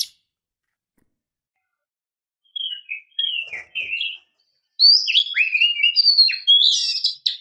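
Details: White-rumped shama, female calling the male: after a quiet start, short whistled notes, then a dense run of varied buzzy and whistled phrases rising and falling for nearly three seconds.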